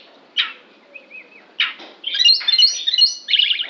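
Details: An oriental magpie-robin making an odd sound: two harsh, scratchy downward notes with soft whistled slurs between them, then a rapid, dense run of high chattering, twittering notes to the end.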